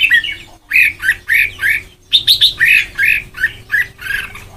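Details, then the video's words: Song of a white-cheeked red-whiskered bulbul being trained toward the Sông Kon style: clear, lilting chirped notes in evenly spaced bursts, a short silence, then a faster run of bright phrases, with faint background hum. "Ép Giọng Cho Chào Mào Má Trắng Thành Sông Kon Chuẩn 100%"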